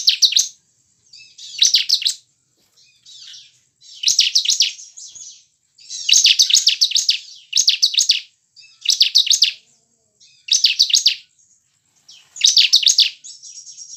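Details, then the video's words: Bar-winged prinia lure song for caged birds: about nine loud bursts of rapid, scratchy chirping spaced one to two seconds apart, with faint high buzzy notes filling some gaps. "Gunakan pancingan ciblek ini agar ciblek gacor dengan cepat"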